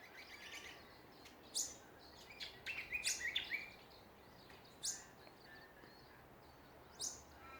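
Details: Australian songbirds in a Ballajura, Western Australia backyard: sharp, high chirps repeated at irregular intervals mixed with short warbled phrases and soft background twittering.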